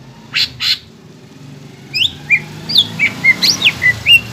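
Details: Greater green leafbird song, used to stimulate young birds to sing: two harsh notes, a pause, then scattered sharp whistled slurs over a steady background hiss.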